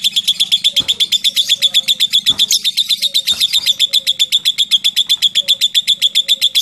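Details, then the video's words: Lovebird giving a long 'ngetik ngekek' trill, a rapid, even string of shrill ticking notes, close to four per second, sustained without a break for the whole stretch, with a quiet hum and faint whistles behind. "LOVE BIRD NGETIK NGEKEK PANJANG"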